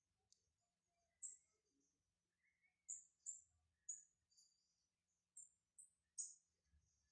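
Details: Brown lined seedeater warming up, uttering separate high, piercing chips, some doubled, at irregular intervals of roughly half a second to a second, with a few softer lower notes between them.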